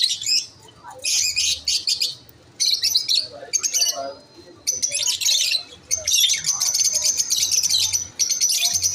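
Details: Several masked (yellow-collared) lovebirds chirp at once, chattering in shrill, high-pitched bursts of rapid chirps and squeaks with brief pauses between flurries.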